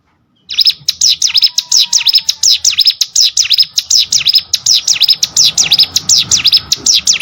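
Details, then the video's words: Hill Prinia singing as training audio for competition birds: after a short silence, a long loud run of high, sharp dipping chirps starts, fast and steady throughout, with a faint whistled tone early on. "CIGUN ATAU PRENJAK GUNUNG!!! MASTERAN UNTUK BURUNG LOMBA"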